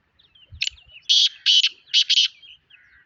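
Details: Black francolin, known locally as kala tetar or Sindhi tetar: a loud, harsh series of grating notes around the upper mid range, several short bursts in quick succession with faint softer notes between.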